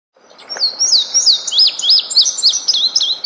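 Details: Small bird singing in quiet nature: a fast, continuous run of high, thin whistled notes, each sweeping sharply up and down, at about three notes per second, with no other clear sounds.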